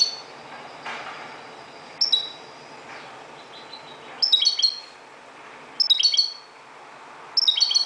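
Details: European goldfinch from Morocco singing at daybreak, with scattered soft notes building into three loud tinkling, chattering bursts roughly every one and a half seconds, against low hiss.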